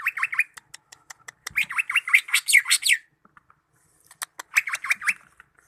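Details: Greater green leafbird singing looping, rolling whistled phrases that swing up and down, mixed with sharp dry ticks. A loud burst of warbling is followed by a short pause, then the phrases resume.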